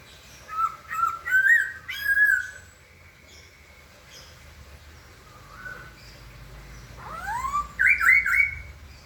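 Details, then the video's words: White-crested laughingthrush song: a series of fluting, slightly wavering whistled phrases, then a pause and a louder burst of rising and looping whistles, over faint background noise. "kicau burung poksay"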